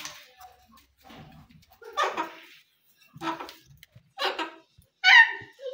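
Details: Pet rose-ringed parakeet talking, uttering several short raspy word-like bursts about a second apart, ending in a loud, clear, higher-pitched exclamation in a quiet indoor room.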